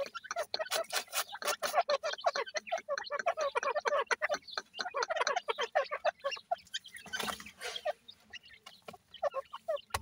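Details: Dense chorus of grey francolin chicks: continuous chattering peeps, closely packed and rhythmic for several seconds, thinning into scattered notes with a soft rustle toward the end.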